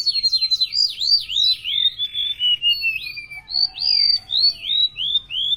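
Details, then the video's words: Gacor song of a golden-bellied gerygone, an Indonesian bird of mangroves, coasts and river mouths: a fast run of high sharp downslurred whistles, then softer gliding notes and a few clear rising-falling whistles, about three notes a second. "Suara burung rempetuk laut gacor isian"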